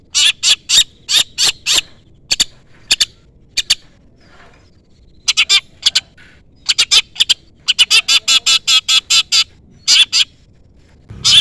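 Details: Lively long-tailed shrike giving calls that challenge a rival, used to lure other shrikes into answering: long runs of harsh, grating chatter notes in clusters, broken by short gaps and continuing to the end.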